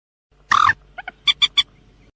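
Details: Common moorhen: one loud harsh croak lasting a quarter second, then two soft short notes and three quick sharp clucks in a row, with no other sounds.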